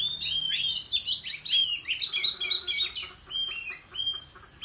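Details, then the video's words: Oriental magpie-robin in countryside giving competitive song with tail-fanning display; dense rapid whistles and chattering notes at the start, then spaced clear whistled phrases rising toward the end. "Chích Choè Than Hót Múa Xoè Hót Đấu Tại Vùng Quê"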